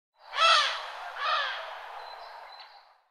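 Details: Eurasian collared dove giving a warning call: two harsh, nasal, buzzy calls about a second apart, the first louder, then a faint thin whistle fading out.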